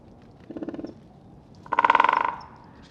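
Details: Two drum rolls from a great spotted woodpecker striking an oak: a short, quieter burst, then a louder, longer rapid roll that trails away. Captured with a Rode NTG-3 microphone and Zoom H6 recorder.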